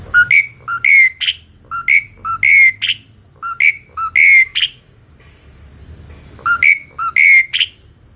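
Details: Asian pied starling singing vigorously and melodiously: a short phrase of two rising whistled notes followed by a sharp higher note, repeated steadily about every 0.7 seconds, with a brief pause midway.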